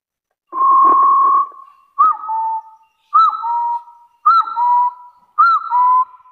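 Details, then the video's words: A long flat whistle with some rough background noise opens, then a hill partridge's challenge to rivals follows: arched notes each chained to a lower rising whistle, repeated about every second. "Tiếng gà so rừng chọi cực chuẩn. Chọi là ăn"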